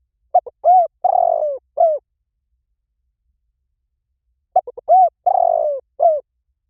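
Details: Spotted dove coo in the liu tan style, used to lure a trained dove into calling back: two phrases of quick short notes, each ending in a long burry coo and a final arched note, separated by a pause of about two seconds.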